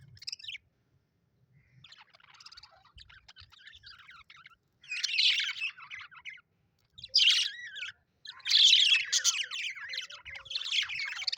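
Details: Budgerigars kept as pets chirping happily, starting with soft scattered twitters that build into loud, dense bursts of scratchy chatter and warbled notes, repeated with short pauses.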